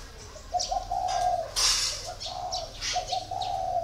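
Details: Spotted dove kept four years in a cage gives two coo phrases, each several short notes leading into a sustained soft coo, split by a loud burst of noise, with bird chirps around.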